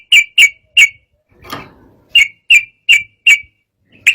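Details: Sooty-headed bulbul in agitated, emotional singing meant to provoke rival birds: sharp, clear chip notes repeated about every third of a second, broken once by a soft rustling noise, then resuming.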